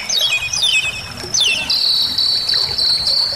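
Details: Part of a vigorous Bali myna song used as a training and prompting recording: three quick descending trilled runs, then a long, steady, piercing high whistle that holds to the end.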